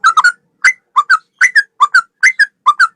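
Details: A male sooty-headed bulbul sings gacor ropel style. Crisp paired whistled notes, each couplet dipping then rising, repeat roughly every third of a second in a lively, bouncing rhythm.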